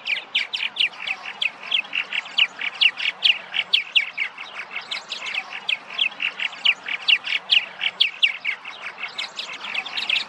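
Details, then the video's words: Spring arrival of migratory purple martins at traditional nesting sites and birdhouses in Massachusetts: a dense, steady chatter of many sharp chirps and squeaky notes, overlapping continuously for ten seconds. "The Arrival of Purple Martins in Massachusetts"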